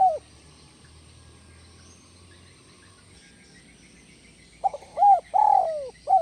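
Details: Spotted dove (tekukur) with its 'kuk 1 melambung' call: the tail of one low coo, several quiet seconds with background hiss, then a fresh phrase of stuttered notes, a long falling coo and a short hooked coo.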